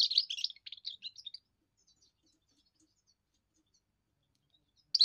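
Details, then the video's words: Young European goldfinch performing its first song, used against territorial intruders and to win females: a rapid stream of twittering, tinkling notes for over a second, a long quiet stretch, and a sudden final chirp. "first song of a young goldfinch amazing wonderful singing"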